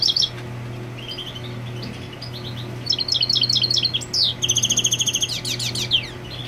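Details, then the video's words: European goldfinch marking territory while its female broods on the nest; soft twitters give way to a lively run of high chirps, a buzzy sustained note and a fast trill; low hum beneath. "Jilguero Marcando Territorio con Hembra en el Nido"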